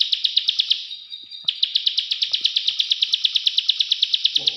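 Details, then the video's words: Plain prinia, known in Indonesia as prenjak sawah or prenjak klik, giving long rapid runs of sharp, high clicking notes in steady rhythm, briefly broken by a thin sustained tone before the clicking resumes. "prenjak sawah/prenjak klik2"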